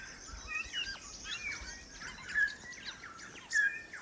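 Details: Native New Zealand bellbird, korimako, singing in lush forest: soft scattered whistles then two clear flat bell-like notes about a second apart, over faint high insect-like hiss.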